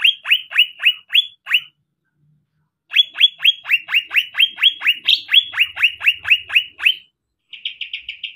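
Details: Greater green leafbird, a champion singer, delivering a full fill-in song: long rapid series of loud downward-sweeping whistles, about two per second, broken by short pauses, ending in a quick buzzy trill.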